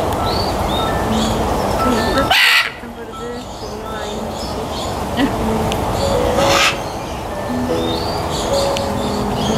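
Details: Macaw giving two loud, harsh, raspy squawks about four seconds apart, each a short burst, over a steady busy background of murmur, hum and faint tonal chirps.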